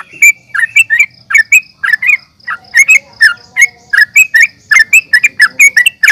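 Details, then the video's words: Fighting calls of the sooty-headed bulbul, used as a lure to stir rivals: rapid bursts of clipped, squeaky chirps in uneven clusters, a short lull near the middle, then steady chattering resumes. "trucukan gacor NGGARUDA UPLIK TARUNG"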